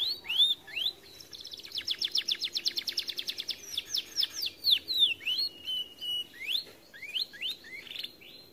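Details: Overweight canary said to sing only reluctantly: a long rapid rattling trill of repeated notes, followed by varied whistled slurs and twittering phrases.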